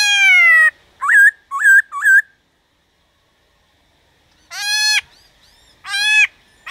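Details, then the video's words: Richly harmonic, slightly falling note, three quick hooked whistles, and after a silence two louder nasal calls, from a black-throated laughingthrush performing 'déo bổi' song to stimulate wild-caught birds. "Khướu Hót DÉO BỔI - GỌI BỔI kích thích bổi hót/kích thích khướu bổi căng lửa"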